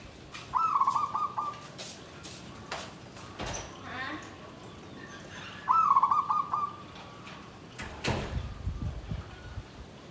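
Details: Caged zebra dove singing klabang kapipit, tumpang sari style from a bamboo cage: two brief vibrating coo bursts several seconds apart, among sharp knocks and handling noises.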